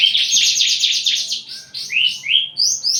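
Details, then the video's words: Javan bush lark eager to mate gives a dense buzzy rattle followed by a series of rising slurred whistles. "branjangan lagi over birahi minta kawin"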